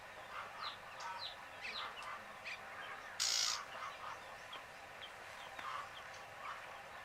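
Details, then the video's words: Drowsy baby chicks chirp faintly in short, high, falling notes. A brief loud hiss or rustle breaks in near the middle. "Fun Sleepy "Chicks Chirping" Sound of Gallina Babies"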